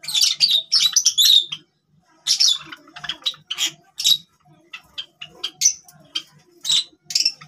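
Java sparrows chatter in quick bursts of high, clucking chirps and bell-like twitters, with brief pauses between runs and a soft low pulsing underneath.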